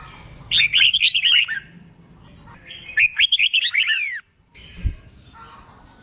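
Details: Red-whiskered bulbul, a young untrained bird being coaxed to sing for singing contests, giving two bursts of bright warbled, chattering notes with slurred up-and-down whistles, separated by a pause with faint background noise.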